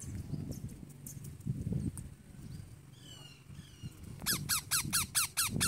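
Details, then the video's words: A ringneck (rose-ringed) parakeet gives softer squeaks, then a fast run of about seven shrill, harsh screeches near the end, over a low background rumble. "sweet Ringneck parrot Natural sound"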